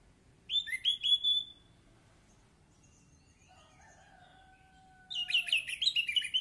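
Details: Orange-headed thrush song from a therapy recording for a silent bird: a short burst of quick whistled notes, then two long, steady, lower whistles, then a dense, rapid stream of high twittering phrases.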